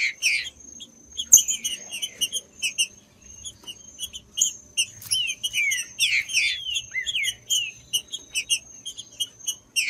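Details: Green-winged saltator song for warming up a cold bird, of interest to tournament breeders; scattered high chirps give way to a run of loud descending whistled phrases in the second half, with a persistent high tone.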